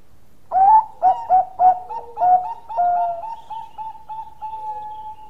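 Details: Bangkok zebra dove in eager long-voiced song: several sharp, rapid cooing notes, two longer gliding coos, then a dwindling series of soft repeated notes. Nothing else audible.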